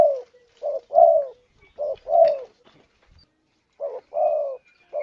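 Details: Series of mellow spotted dove coos used as a bird lure: short notes followed by longer falling coos, repeated in rhythmic pairs with faint background noise.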